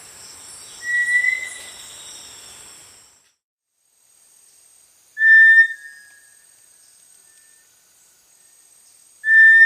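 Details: Brownish-gray small tinamou of lowland rainforest understory along streams: three short flat whistles, each slightly fading at the end, spaced roughly four seconds apart, the later two loud and clean.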